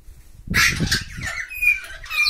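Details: Hyacinth macaw giving a loud, harsh, broadband squawk lasting about half a second, then thinner whistled tonal notes trailing off near the end.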